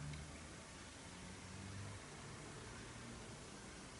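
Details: Steady broadband hiss with a low rumble and faint indoor hum; no animal voice stands out.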